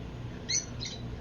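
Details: Rosy-faced lovebirds give two quick, sharp, high-pitched chirps about a third of a second apart over a low hum; Phoenix, Arizona area, 13 August, 105°F heat, with hummingbirds nearby.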